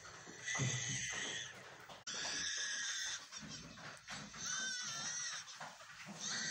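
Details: A lyrebird in Australia gives bleating, cries just like a human baby's, strained and rising, in bursts every second or two, with warbled whistles mixed between them.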